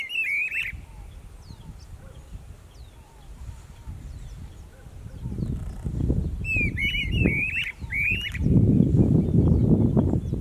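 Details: Streamer-tailed tyrants, a pair duetting in Pompéu, Minas Gerais, Brazil: short bursts of harsh, stuttering chattered notes at the start and again midway, over loud low rumbling background noise that swells toward the end.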